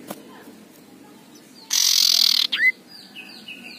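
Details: Harsh ngekrek of an aggressive male common iora: a loud, rough rasp lasting under a second, then a brief rising whistled note, with soft distant bird notes afterward.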